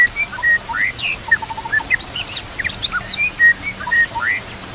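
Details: Varied white-rumped shama song meant as a training master: flat whistled notes, upward slurs and scattered sharp high chips, delivered in quick succession with soft natural ambience behind.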